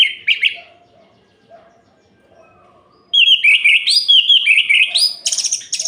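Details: Orange-headed thrush singing at night to rile other males: a brief opening burst, a quiet gap with soft low sounds, then a rapid run of rising whistled notes climbing higher.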